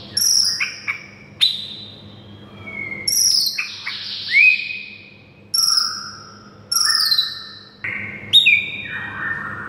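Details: Training song of a white-rumped shama for a silent bird: loud separate phrases of sharp upslurred whistles and downward sweeps, about six phrases with quiet gaps between them.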